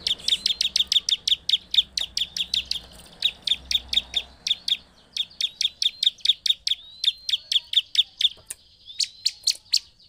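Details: Bar-winged prinia giving a provoking lure song: quick, evenly repeated sharp high chirps in long runs, a thin rising whistle toward the end, and a brief pause before the chirping resumes.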